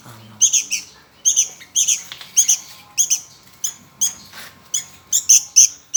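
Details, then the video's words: Sooty-headed bulbul chick, hungry, begs with sharp high-pitched squeaks given in a steady run, singly and in doubled bursts, nearly twice per second without pause. "Kelaparan Anak Burung Kutilang"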